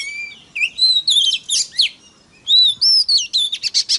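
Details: Oriental magpie-robin song meant to provoke other magpie-robins: a low steady whistle, then rising and falling whistled phrases and harsh notes, a short pause, and another energetic run of bright slurred whistles.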